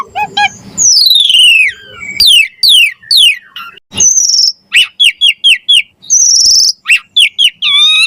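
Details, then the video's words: Javan pied starling in varied gacor mompa song: long descending whistles, high buzzy trills and a quick series of sharp repeated whistled notes, loud and continuous. "Suara Jalak Suren Gacor Mompa Variasi Isian Mewah"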